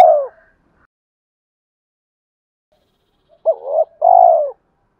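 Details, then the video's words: Male spotted dove coo meant to provoke rivals into fighting and to call a mate: the tail of one hoot, a long silence, then a full phrase of a quick wavering note followed by a sustained falling coo. "tiếng cu gáy mồi thúc đấu và gáy gọi hậu hai"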